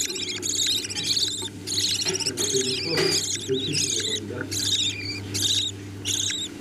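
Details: Budgerigar parents feeding their chicks; the young give rough, scratchy, buzzing bursts in fast uneven succession, over a constant low droning hum and faint murmuring.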